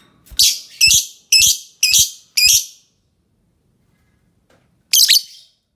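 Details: Lovebird giving five loud, harsh, buzzy high chirps about half a second apart, a pause of two seconds, then one more harsh chirp; low thumps accompany the first notes.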